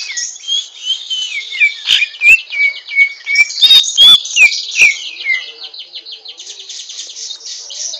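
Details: Rough twittering of a greater green leafbird learning to sing, kept as a songbird: a continuous high scratchy chatter with a run of descending whistled notes and a few sharp clicks in the middle.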